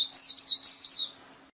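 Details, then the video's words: Short burst of white-eye song, a lively run of high slurred whistles rising and falling for about one second, then quiet with a faint steady hum. "SUARA MAHAL KICAU BURUNG PLECI"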